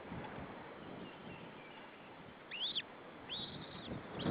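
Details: One White-tailed eagle chick in a nest in Estonia, 25 April 2013, gives two or three sharp, arched whistles in close succession over a faint rumble.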